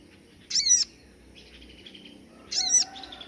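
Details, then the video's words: Crested jay (sogon) in recording used as master material for training songbirds: two loud, harsh, ringing high calls about two seconds apart, with a faint chatter between. "tembakan standart sogon yg di cari kicau mania buat masteran"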